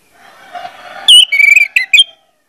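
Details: Orange-headed thrush, locally anis merah, in a pancingan lure recording: faint murmuring chatter builds up, then a loud burst of bright whistled notes with a sustained trill-like tone and sharp chirps.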